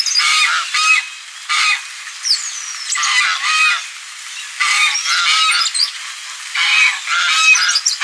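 Goose honking in loud, harsh bursts, about eight in eight seconds, some strident and some shorter and nasal, with brief pauses between.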